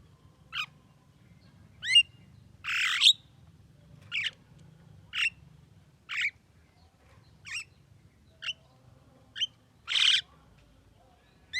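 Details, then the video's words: Javan myna, described as a talking bird, giving a long series of short sharp whistled and rising notes, broken by two broad harsh squawks, about a dozen sounds in under twelve seconds. "JALAK KEBO BISA NGOMONG"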